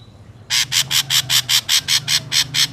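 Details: Ashy drongo call used as a trapping lure: about eleven harsh, rasping notes in a steady rapid series, roughly four per second, over a low background rumble.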